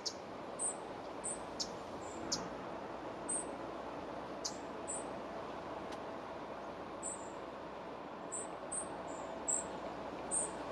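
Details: Spotted flycatcher at its nest near Moscow, 17 July 2023, while feeding young and passing a pellet; very thin, high short notes, about fifteen in eleven seconds at uneven intervals, over a steady hiss with a few sharp ticks.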